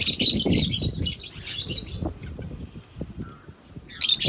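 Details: African lovebirds kept as pets in Kannur, giving harsh, shrill chirping bursts in a rapid flurry at the start, then low rumbling background noise, with a short burst of chirps again at the end.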